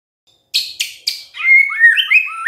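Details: White-rumped shama: three sharp click-like notes, then a flowing series of clear whistles rising and falling in pitch.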